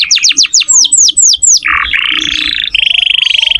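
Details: Canary song used as training audio for other songbirds: a run of high, fast downward-sweeping whistles, then a buzzy rolling section, ending in a rapid, even trill on one pitch.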